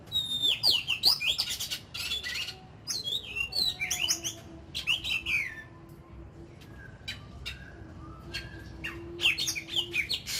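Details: Oriental magpie-robin, a kept ornamental bird in daily voice training, singing varied whistled phrases with sweeping notes and harsh buzzy bursts, separated by short pauses, over a low steady hum.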